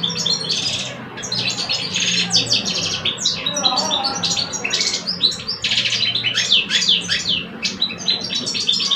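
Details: Two captive male goldfinches in Algeria contest in song, one adult veteran, one two years old; long, dense run of rapid chirps, trills and buzzy notes, almost unbroken, with soft low hum behind.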